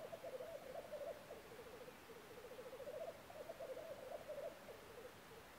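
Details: Black grouse in Norwegian woods in early spring, April 2012: a steady low, dove-like bubbling warble of rapid pulses that rises and falls in two long phrases over about five seconds, with a quiet background.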